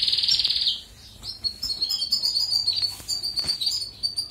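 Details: Goldfinch song meant as a tutor for canaries: opens with a fast high trill, then a rapid string of thin, tinkling chirps and twitters, over faint low background noise.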